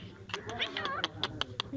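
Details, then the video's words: A pet rose-ringed parakeet perched on a hand chatters in short, speech-like syllables with a warbling, wavering middle and sharp, bright clicks roughly every fifth of a second. "Mian Mithu Whistle / Parrot Speaking on My Hand"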